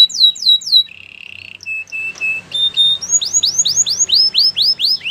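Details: Canary singing to train other canaries: falling whistles, a low buzzy trill, scattered single clicks and notes, then a rhythmic series of steep descending whistled syllables.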